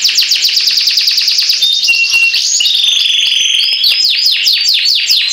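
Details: Canary singing a long continuous song: fast high repeated trilled notes shifting into rolling tours and back into rapid descending trills, loud and unbroken throughout.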